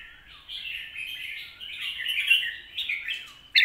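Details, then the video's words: Red-whiskered bulbul singing a 'lak wai' or 'mae bot' style song: a continuous run of bright, warbling whistled notes rising and falling over about three seconds, ending in a sharp high note. "ลากหวาย/แม่บทชัดๆ เสียงดี#เสียงนกกรงหัวจุก"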